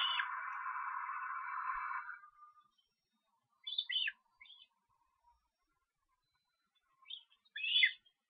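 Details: Osprey young being fed at an Estonian nest on 13 July: a harsh, dense buzzing band fills the first two seconds, then short, high, sharp chirps come in two bursts, around four and eight seconds.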